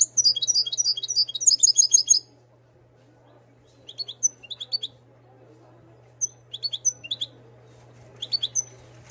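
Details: Moroccan European goldfinch, bred in 2022, opens with a long rapid jingling twitter lasting about two seconds, followed by scattered short chirpy fragments, all high-pitched, over a steady low hum.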